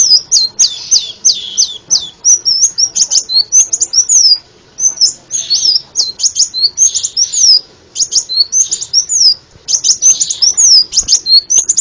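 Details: Long sunbird (kolibri ninja) song recorded as masteran for teaching songbirds: continuous fast bursts of shrill, wavering high whistles, grouped into phrases broken by brief pauses, over faint background noise.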